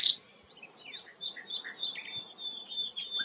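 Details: Rare sikatan londo flycatcher singing: a loud opening note, then scattered high thin whistles and short slurred phrases, some falling and some rising, with brief gaps between them.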